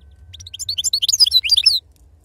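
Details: A goldfinch in 'khalawi' wild-type style sings one fast, jangling phrase of high, tightly packed twittering notes and slurred chirps, about a second and a half long, over faint low hum.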